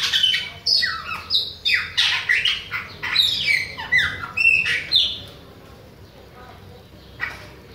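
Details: Chopi blackbird, Bahia type, singing in the face of other birds: about five seconds of rapid, rhythmic whistled slurs and squawky notes, then near silence with one last note.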